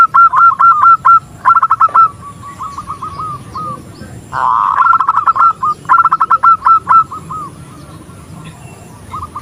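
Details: Female zebra dove calling to lure the male; bursts of rapid hooked coos, a loud blurred note near the middle, then more crisp staccato runs fading to scattered single notes.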